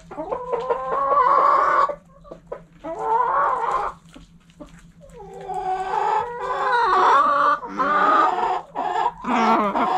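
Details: Backyard hens eating cluck in drawn-out, nasal, wavering bursts lasting one to two seconds, broken by short clicks and pecks, over a low steady hum.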